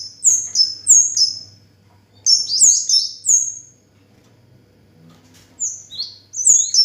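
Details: Orange-headed thrush singing persistently, phrases of several high, sharp, downward-sweeping whistled notes given in quick runs separated by short pauses, over a low background hum.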